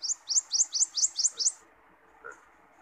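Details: A wild common iora gives a steady string of seven shrill, rising notes in about one and a half seconds; the song is used to train caged birds and lure wild ones. Faint background hum follows.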